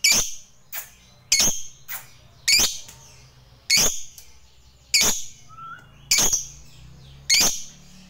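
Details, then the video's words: Lovebird of the fighter type calling a rival: loud, sharp, high screechy chirps repeated about every 1.2 seconds, with a low hum and one short whistle between them. "Lovebird GACOR MEMANGGIL LAWAN"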